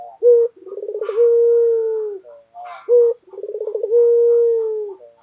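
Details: Loud cooing from a white local collared dove ('puter putih'): a clipped first note, a fluttering trill, and a drawn-out even coo, given twice in close succession.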